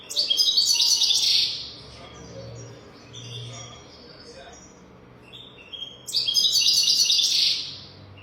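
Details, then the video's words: Goldfinch song for tutoring young birds, delivered as two dense, loud bursts of rapid twittering and buzzy notes, separated by softer scattered chirps and a faint low hum. "تغريد رهيب طائر الحسون حنجورة دهبية لتعليم طيور الحسون"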